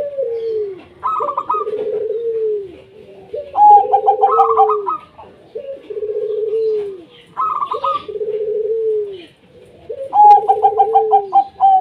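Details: Local zebra dove from the wild, sounding a lure song so that quiet doves join in: rapid bubbling notes leading into long, mellow, sinking coos, given in a regular chain every couple of seconds.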